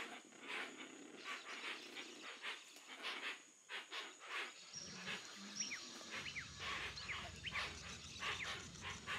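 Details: Hoatzin in the Brazilian Amazon, a bird of trees and shrubs along lake and slow river margins, often in groups: hoarse, wheezy rasping bursts about twice a second over steady high insect drone; chirpy bird notes and low motor hum join later.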